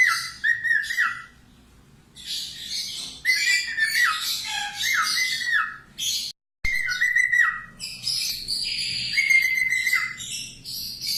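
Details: Budgerigar warble intended as a model for cockatiels: repeated level whistled notes, each ending in a downward slur, mixed with dense buzzy squawks and chatter over about eleven seconds, with one short silent break.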